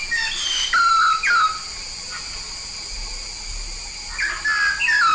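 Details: From Papua, a yellow-faced myna in lively song: long, clear downslurred whistles and short chirps come in two bursts with a quieter gap between, over a hissing background.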